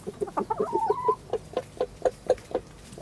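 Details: Village chickens running and playing cluck in short, low, evenly spaced notes, about two a second, with a brief rising squawk early on.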